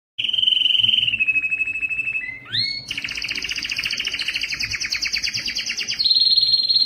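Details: Male canary singing to stimulate females for breeding: a steady whistled note, a brief rising slur, then long fast trills repeated about three times a second, ending on a clear high buzzy tone.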